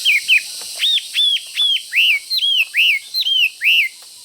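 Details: Caged Chinese hwamei in fighting mood, pecking its cage when near a rival: a series of about nine loud, clear whistled notes, each rising then falling, repeated roughly every 0.4 seconds.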